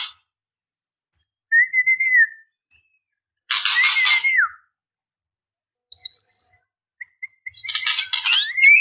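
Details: White-rumped shama female calling males. Sparse clear whistled phrases, some rising and some falling, alternate with brief buzzy rattles. Gaps of silence separate the phrases.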